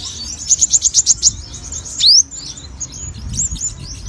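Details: Sogon giving about eight quick high repeated notes, then a loud rising whistle and softer high warbling, over faint low rumble.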